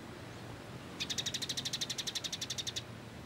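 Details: Sunbird known as kolibri ninja, training material: a single rapid, rattling trill of about twenty high, evenly spaced notes lasting nearly two seconds, over a quiet low hum.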